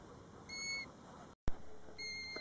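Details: European golden plover near its roadside nest at Båtsfjord, recorded from a car, giving two clear, plaintive, short level whistles about a second and a half apart over low wind rumble and a brief click.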